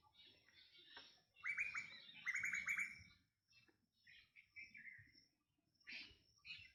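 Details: Black drongo calling: two bursts of sharp, fast downslurred chirps, each a rapid run of notes lasting about half a second, followed by scattered shorter whistles, over a dense background chorus of other birds.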